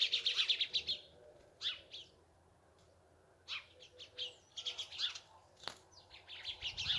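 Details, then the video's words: Sparrows chirping: bursts of short, bright chips repeated rapidly at first, then scattered clusters of chirps with pauses between them, one sharp click midway, a quiet background. "Цвркутање врабаца прија и опушта"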